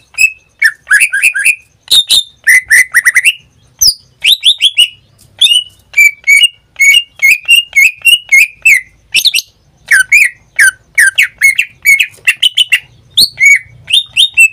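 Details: Greater green leafbird kept as a pet, a regular daily singer, pours out a rapid, continuous stream of chattering whistled phrases, bright and varied, with scarcely any gaps.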